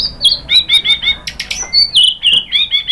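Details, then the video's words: White-rumped shama lure song to prompt other birds into singing, delivered as evenly spaced, high, clipped chirps in quick succession, with a few sharper clicking notes mixed in. "KICAUAN MURAI BATU merangsang BUNYI jadi NYAUT GACOR NGEPLONG BONGKAR ISIAN ¦ PANCINGAN MURAI"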